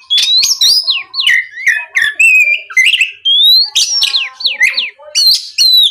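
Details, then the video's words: Oriental magpie-robin lure song aimed at getting other magpie-robins to sing; dense continuous phrases of whistled slurs, rising notes and sharp chirps with almost no pauses. "MEMANCING KACER BAHAN AGAR MAU BUNYI LANGSUNG NYAUT, SUARA PIKAT BURUNG KACER GACOR NGEPLONG"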